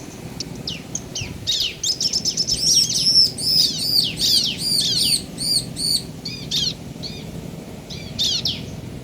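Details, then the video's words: Male and female bar-winged prinia answering each other, meant to rouse other birds: a rapid series of high, arched chirping notes, about two or three per second, swelling in the middle and thinning to scattered chirps at the end. "Suara Ciblek Jantan dan Betina Saling Bersahutan - Bikin Ciblek Lain Emosi & Gacor"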